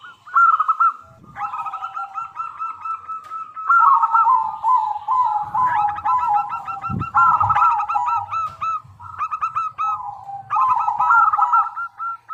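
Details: Zebra dove of local stock singing actively as a lure for other doves: bursts of quick, bright trilled coos alternate with lower rolling notes, several phrases in a row, with a brief thud partway through.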